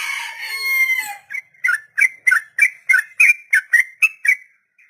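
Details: Sooty-headed bulbul song in the long ropel style for training beginner birds: a drawn-out harsh opening note, then about eleven rhythmic bubbly chirps repeated roughly every third of a second.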